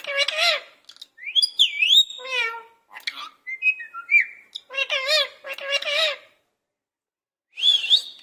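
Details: Parrot kept in a cage imitating a cat's voice, giving several wavy, nasal meow-like phrases alongside swooping whistles and clipped chirps, then a pause before a final high whistle.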